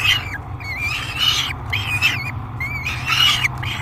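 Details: During feeding at the Great Spirit Bluff falcon nest box, July 3, 2021, a peregrine falcon gives squealing, wavering screams with rising and falling pitch, interrupted by short gaps, over a low background drone.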